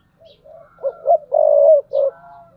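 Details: Decoy spotted dove cooing: a faint lead-in note, two quick hollow coos, a long sustained low coo and a short final note, with a soft faint tone above.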